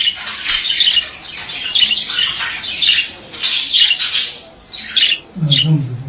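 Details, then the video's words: Male budgerigar chattering in quick scratchy squeaks and rasping chirps grouped into short runs, with a low buzzing hum near the end. "Erkek muhabbet kuşu sesi"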